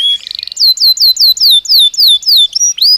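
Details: Belgian canary singing naturally: a brief buzzy roll, then a series of clear falling whistled notes repeated about four per second, ending with a rising slur.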